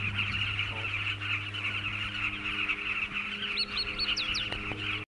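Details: Southern carmine bee-eaters at a breeding colony in Mana Pools National Park fill the air with a steady din of many overlapping rolling, throaty calls, with a few sharper hooked notes near the end, over a low engine-like hum.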